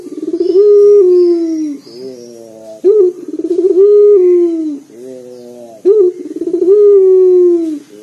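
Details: Three full phrases from a booming local collared dove, a caller for prompting other birds: each starts with a sharp rising note, rolls through fast pulses into a long sustained coo, then a quieter wavering murmur follows.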